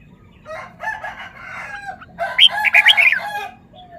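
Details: Red-whiskered bulbul showing off song phrases: a soft chattering warble that rises into a loud run of bright, ringing whistled notes, then fades away, with a steady low hum beneath.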